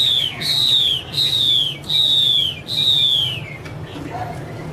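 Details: Chinese hwamei, a female singing in the style locally called 'te', with a male in the background: four loud, clear whistled notes, each sliding downward and spaced about a second apart, followed by a quieter note and faint low hum.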